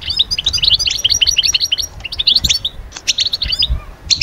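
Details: Goldfinch singing to stir birds from moult into summer breeding mood: fast liquid twitters and tinkling chirps crowded together, a short gap near the middle, then more bright notes.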